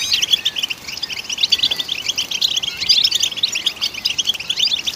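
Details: Goldfinch (European) singing to stimulate other goldfinches: quick tinkling twitter of sharp high notes and short rising slurs, flowing without pause over a quiet background.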